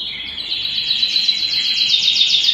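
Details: Canary singing at home, producing a sustained rapid trill of repeated high notes followed by a rolling, slightly rising sequence.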